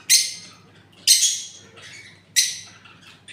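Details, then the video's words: Parrot squawking three times about once a second, each call a loud, raspy, noisy burst that decays quickly, over a faint low hum. "Parrots original sound video"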